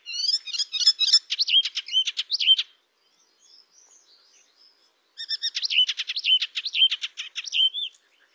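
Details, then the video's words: Cemblek kristal eropa singing in the nembak style: two bursts of rapid, buzzy trilled notes, each about two seconds long and ending on a clear whistled note, separated by a quiet pause. "Cemblek kristal eropa suara nembak nembak"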